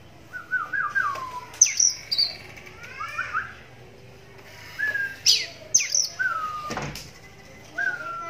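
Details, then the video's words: One-eyed pet oriental magpie-robin singing, its voice drawing answers from other magpie-robins: falling whistled slurs and stepped notes alternate with sharp high squeaks and scratchy phrases, in bursts separated by brief silences. "Walau Matanya Buta Tapi Suaranya Mampu Bikin Kacer Lain Langsung Nyahut"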